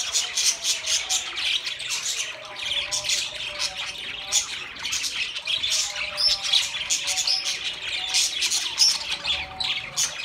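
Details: Many budgies twitter at once: rapid, high-pitched chirps and squeaks in close, uneven bursts, with occasional thin whistles rising above the steady warbling.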